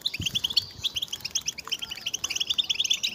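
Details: Many European goldfinches twittering together, calls meant to excite males into singing: bright, fast, overlapping chirps and liquid trills packed closely, with a low thump near the start.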